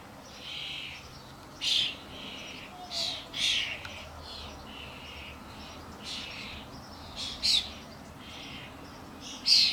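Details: Adult common starlings (Sturnus vulgaris) with their fledglings, many birds in a commotion at a garden bird feeder with suet blocks, give harsh, rasping screeches in short bursts, about one or two each second, sometimes doubled, over a steady soft hiss.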